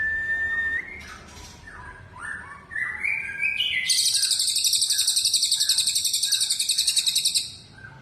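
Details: Songbird from a cucak jenggot, cililin and canary tutoring compilation: a steady whistle, then rising slurred phrases building into a long, rapid, pulsing high trill lasting nearly four seconds.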